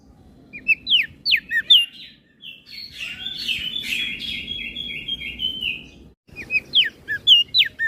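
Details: Crested white-eye from Flores in full, chatty filled-in song for training other birds: sharp rising chirps, then a sustained buzzy, rattling stretch of about three seconds, a brief gap, and more quick high whistled notes.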